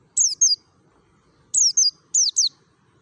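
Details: Merapi mountain white-eye, wild-style lure song: three quick pairs of shrill, downward-slurred high notes, the second note of each pair slightly lower, over near silence.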